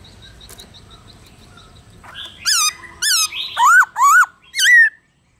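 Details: Black-throated laughingthrush singing in the forest-voice style, used to spur other birds into song. Soft distant chirping comes first, then a run of loud, bright whistles that swoop and slur, one note roughly every half second.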